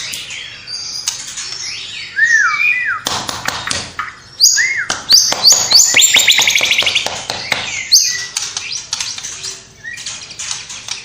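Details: Vigorously singing white-rumped shama, its repertoire stuffed with imitations of sparrow, battling lovebird, kapas tembak and cililin. Slurred rising-falling whistles lead into dense rapid clicking and chattering runs, about four notes a second, with faint music.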